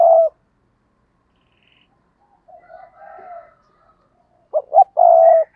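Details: Spotted dove used as a decoy, with a brief coo, a pause, soft low cooing, then a loud phrase of two short notes and a sustained coo.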